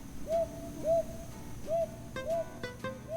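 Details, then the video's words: Brown Hawk-Owl, a summer visitor, calls at night to announce its territory: soft, rounded hoots, each briefly rising then falling, repeated about every half second. Plucked string music comes in toward the end. "이 소리는 밤에 솔부엉이가 영역을 알리기 위해내는 신호입니다"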